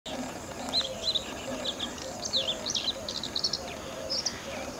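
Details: A Bluethroat, a migratory winter visitor, gives quick, varied high chirps and twittering notes in short bursts over a low steady hum and faint background murmur.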